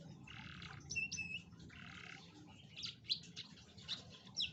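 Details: Canary song used as a lure for a lazy canary: lower buzzy rolls alternating with high whistled notes and scattered sharp chirps.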